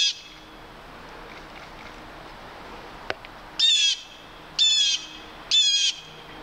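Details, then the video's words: Near Halcyon Pond on March 21, 2015, a red-tailed hawk gives three harsh, rasping, down-slurred calls about a second apart after a quiet stretch broken by a single sharp click. "RED TAILED HAWK NEAR HALCYON POND"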